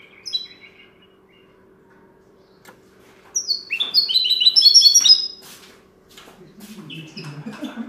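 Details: Linnet schooled in goldfinch song delivers a bright, rapid cascade of high tinkling and buzzy notes lasting about two seconds after a few opening chirps, then goes quiet against a steady low hum.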